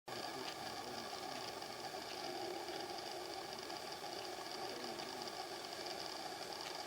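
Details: Steady mechanical droning hum with broadband hiss throughout, like a motor or engine running without pause.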